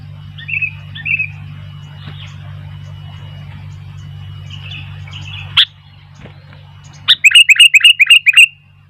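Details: Sooty-headed bulbul singing actively while wild bulbuls grow lively; faint chirps over a steady low hum, then a loud burst of about seven short, bright, clipped notes in quick succession near the end.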